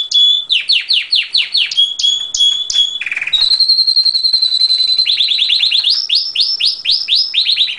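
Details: Canary song: rapid rolling trills of downward-sweeping notes, a long steady high whistle in the middle, then fast rising-pitch trills, all loud and continuous without pause.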